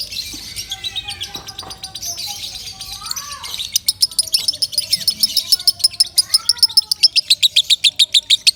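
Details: Lovebird singing loudly as a model for training other birds: a soft twittering start with lower whistled slurs from other birds, then a fast, steady run of sharp high chirps about four per second.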